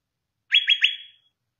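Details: A greater green leafbird gives three quick, bright slurred notes run together, then a clear high whistle that holds and fades; nothing else is heard.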